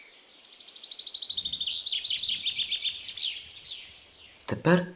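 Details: Common chaffinch singing in open hornbeam forest during the morning chorus: a bright, rattling descending song of quick repeated notes ending in a flourish; a man's voice briefly speaks at the end.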